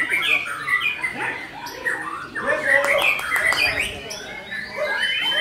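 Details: Lively gacor song from a white-rumped shama: mixed whistles, chirps and rising slurred notes, delivered in irregular bursts that overlap one another.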